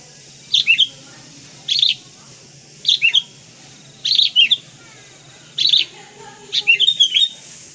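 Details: Sooty-headed bulbul, or kutilang kapas, in tutor song: short, bright two- to three-note whistled phrases repeated roughly every 1.2 seconds over a quiet background.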